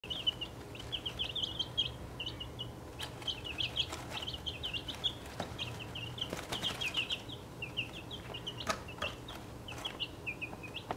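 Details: Six chicks, 1.5 weeks old, of the Welsummer, Crested Cream Legbar, Partridge Plymouth Rock, Australorp, Buckeye and Golden Laced Wyandotte breeds, in a travel box. They give a dense stream of high, short peeps in rapid bursts, with scattered scratching taps and a low hum.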